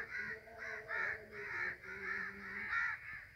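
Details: Crows calling in flight overhead: a steady string of rough, hoarse caws, roughly three per second, each slightly rising then dropping, from more than one bird.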